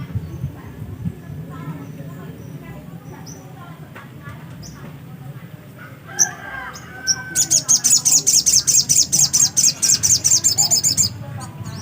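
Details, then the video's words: Black-capped white-eye singing vigorously: after a stretch of background murmur and scattered faint sounds, a rapid, evenly spaced series of very high, piercing notes runs for about four seconds. "burung sogok ontong GACOR..!!!"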